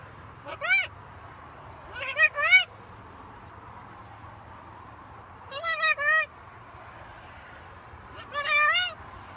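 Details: Talking macaw parrot gives four bursts of two or three quick arched, nasal-sounding syllables, each burst separated by about two seconds of quiet, with a low background hum.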